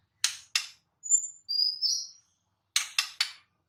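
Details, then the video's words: White-rumped shama in the wild: two harsh ticks, then high pure whistles including a long drawn-out note, and a closing group of three quick clicks. "Kicau KHAS Murai BATU di ALAM LIAR"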